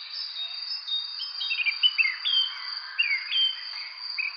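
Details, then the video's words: Bird chirping: short, thin, sliding chirps and rising and falling notes scattered through the clip, partly masked by a steady high insect-like buzz. "Bird Chirping Sound"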